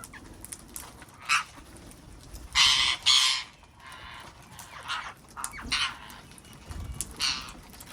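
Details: Wild parrots visiting a garden, producing harsh, broadband squawks in irregular bursts, the loudest a pair of long rasping cries in the middle, with softer calls before and after.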